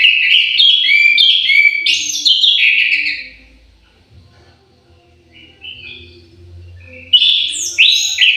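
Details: Orange-headed thrush in an aviary delivering a long, varied run of loud rich whistles and warbles for three seconds, a pause with low hum, then further fluty phrases.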